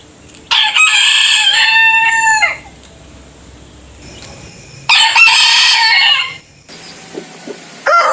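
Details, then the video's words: Rooster from a compilation of different roosters' crows, each with its own voice: a loud harmonic crow of about two seconds with a falling ending, then a second crow beginning near five seconds, and a short cut-off start of another at the end. "Rooster Crowing - Rooster Sound Effect - Gà Gáy - Gà Trống - Tiếng Gà Gáy - Con Gà Gáy"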